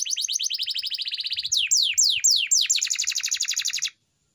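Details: Canary singing a training song: a fast, even trill of short notes, then four loud sweeping downward whistles, then another quick rattling trill ending abruptly near four seconds; clean recording with no other sounds.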